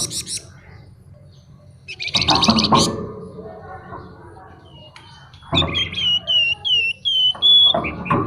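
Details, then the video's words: Flamboyan songbird singing in fluting and buzzing styles: a harsh buzzy burst, a quiet gap, then a run of clear whistled notes repeated about twice a second, over low hum. "Burung Flamboyan Gacor Isian Mewah Nyuling Ngebren"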